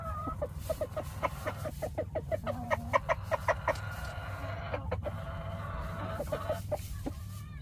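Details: Several chickens clucking in dense, irregular volleys of short clipped notes, some higher and harsher, overlapping one another, with a brief drawn-out note near the end and a constant low hum underneath.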